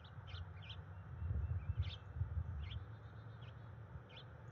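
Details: Resident female bald eagle at the NCTC nest, January 30, 2021, chanting to invite her mate to copulate, with eggs expected in mid February. A series of short, high, squeaky chirps repeats about every half second above heavy low rumble.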